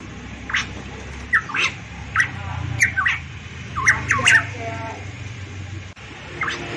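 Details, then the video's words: Papuan variable pitohui singing: clustered whistled notes with rising and falling slides, bunched more densely in the middle, with clicks and a soft low rumble behind. "burung pitohui variabel gacor cucak Rowo Papua cucak emas"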